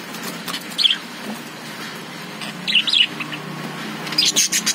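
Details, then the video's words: Lovebirds kept inside a cage chirping in short, high, sharp bursts near 0.8, 3 and 4.3 seconds, each a quick cluster of squeaky notes over a steady low background hum. "Love birds sound|| Cute love birds inside the Cage"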